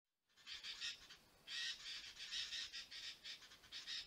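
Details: A Sooty-headed Bulbul (Pycnonotus aurigaster) in Thailand gives a run of harsh, scratchy chattering notes in quick bursts.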